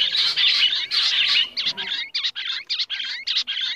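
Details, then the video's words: Rock bush quail calling loudly: drawn-out raspy notes give way to a quick series of short, clipped calls repeated in rhythm. "Rock bush quail sound"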